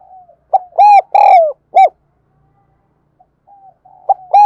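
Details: Decoy spotted dove, thổ đặc voice, calling wild doves near: one full four-note coo phrase of a short note, two long coos and a short close, then faint soft notes and the start of the next phrase.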